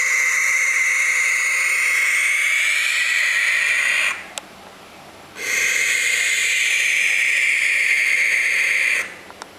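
Young barn owls give two long, harsh, breathy hisses, each lasting about four seconds, separated by a brief pause.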